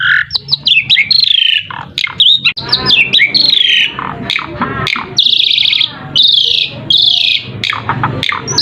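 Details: Asian pied starling song used as a lure to make other birds answer: a varied, energetic run of rising and falling whistles, squawky notes and harsh chattering bursts, with a low hum underneath.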